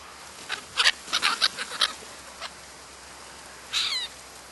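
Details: Black-headed gulls in the New Forest, Hampshire, England, in July 2009, give a quick run of about eight harsh, rasping notes in under two seconds, then a longer grating screech after a pause.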